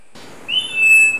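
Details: A male Three-wattled Bellbird perched high in the canopy at Monteverde, Costa Rica, gives a single loud, piercing whistle that starts with a slight rise, then holds steady and high for most of a second.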